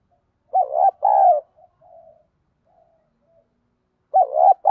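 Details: Spotted dove with a deep 'giọng đồng' voice, used as a lure to provoke fighting: a wavering coo and a longer falling coo, soft trailing hums, then the phrase starting again.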